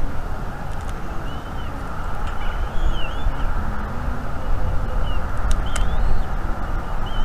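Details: Young female bald eagle at a North East Florida nest, morning of 17 March 2021, chirping for food and mantling as her father brings in a fish. Thin, high, wavering chirps repeat over steady loud wind rumble.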